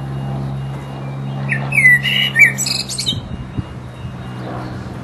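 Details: A resident blackbird's mating song: one brief burst of high, squeaky, chattering notes lasting about a second and a half, over a steady low mechanical hum.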